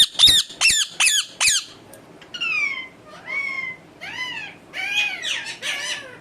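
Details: A pet parrot, described by its owner as always angry and biting and making only natural sounds rather than talking, gives four harsh, rapid squawks, then shrill, downslurred screeches about once a second.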